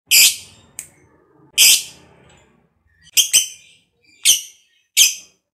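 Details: Lovebird, a fighter type kept by hobbyists, used to stimulate other lovebirds to sing; loud harsh broadband chirps repeated irregularly, roughly six bursts with short gaps, in a quiet room.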